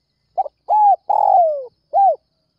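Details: Spotted dove at early morning, calling to lure other doves, gives a stuttered double note followed by a level coo, a longer downward-sliding coo and a last rounded coo.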